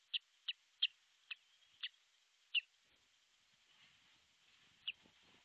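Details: Osprey on its artificial nest in Pohjois Satakunta, Finland, filmed by nest camera on 6 July 2023 at about 12.31; six clipped, high whistled notes in the first three seconds, then one more after a faint murmuring pause.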